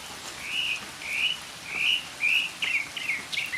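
A mockingbird sings a run of bright, slurred notes about twice a second, shifting to quicker, choppier phrases at the end, over steady rain hiss.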